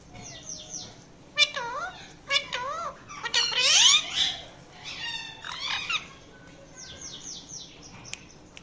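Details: Indian ringneck pet parakeet making different sounds indoors: bouncing, wavering squeaks and chirps in irregular bursts, a loud harsh squawk near the middle, then softer rapid chirp series fading out.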